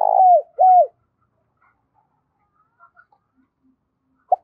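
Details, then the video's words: Spotted dove call meant to attract wild doves for trapping: a long purring coo and a falling hoot, then a quiet stretch with faint chirps and a single short note at the end. "Tiếng chim cu gáy kích bổi nhanh nổi và tập mồi hiệu quả nhất 2023"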